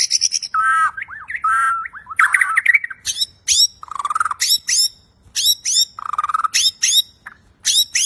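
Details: Bornean white-rumped shama singing energetically in clear voice with many fills. Rich warbling whistles open the phrase. Bursts of sharp, high chattering notes follow, alternating with low fluty phrases in a loud, dense, varied sequence.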